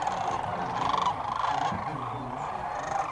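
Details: Sandhill cranes at dusk on the Platte River near Alda, Nebraska, on their yearly migration: a thick chorus of rolling, rattling calls from a large flock, louder near the first second, with quiet talk from people in the blind.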